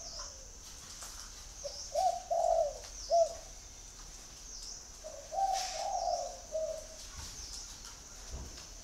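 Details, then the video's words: Two cooing phrases from a spotted dove, each a soft pickup note, a rolling coo and a short closing coo, separated by a few seconds of hissy background. "chim cu gáy gọi"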